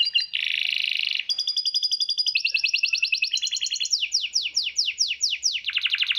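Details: Songbird masteran training sound in tembakan style, opening with a buzzy burst, then trilled blocks and a series of sweeping downslurred whistles about every half second.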